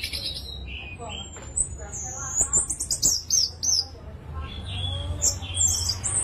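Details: Orange-headed thrush singing to stir other thrushes: high thin whistles and rapid twittering trills at the top of the range, broken by pauses, over a low rumbling hum.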